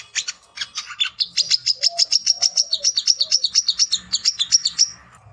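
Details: Chattering song of a male brown-throated sunbird looking for a rival to fight: a rapid run of high, sharp, evenly spaced notes lasting several seconds, with soft lower whistles faintly behind.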